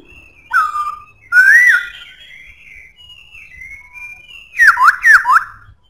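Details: Powerful whistled song of a Black-throated laughingthrush: a falling whistle, a rising looped whistle, soft warbling, then three quick swooping notes.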